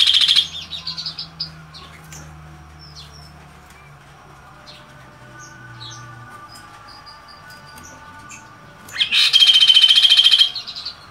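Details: Chestnut-capped babbler chirping, opening with the tail of a pulsed rattle, then several seconds of soft, thin distant chirps before a loud, fast, buzzy chatter of even pulses bursts in and holds about two seconds.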